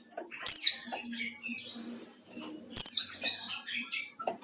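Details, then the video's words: White-eye singing in the wild-style 'ngalas' manner while seeking a rival, used as a lure: two bright, high, sharply descending chirped phrases about two seconds apart, each trailing into softer twittering notes. "burung pleci ngalas cari lawan//ampuh buat pancingan"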